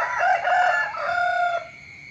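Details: Close, loud rooster crow in the early morning, one sustained harmonic call with a slight wobble, held about one and a half seconds before cutting off abruptly.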